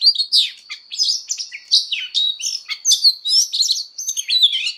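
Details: Oriental magpie-robin in fighting song, trained for a strong voice. Quick run of sweet whistles, rising and falling slurs and sharp chirps, closely packed over a constant faint high-pitched tone.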